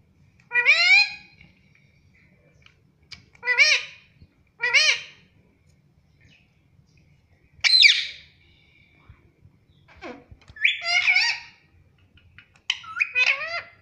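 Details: Pet Indian ringneck parakeet talking, said to say "Mummy Papa": seven separate bursts of harsh, harmonic, speech-like phrases across fourteen seconds, each about half a second long, with near silence between them in a quiet room.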